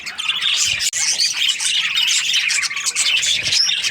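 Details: Cheerful Australian budgies during breeding season: dense, high warbling chirps and squeaky notes from several birds, broken by one sharp instant of silence near the start.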